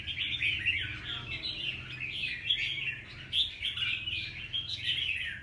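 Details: A wild-caught young red-whiskered bulbul, recorded 25 December 2023, sings a steady stream of bubbly, chattering whistles with no clear breaks.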